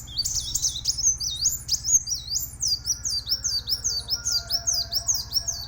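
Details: Plain sunbird (kolibri wulung) giving a loud, high, fast song: a rapid train of sharp, down-slurred whistled notes repeated steadily, nearly two per second, above a constant low background hum.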